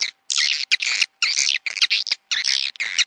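Swiftlet chatter: dense bursts of high, buzzy chirping twitters, about half a second each, separated by short pauses, over a faint steady low hum.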